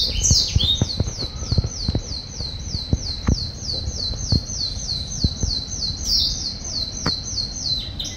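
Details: Canary singing on a rainy day: a fast rolling trill of identical high whistled notes, repeated steadily for about eight seconds, with scattered sharp low taps and knocks beneath.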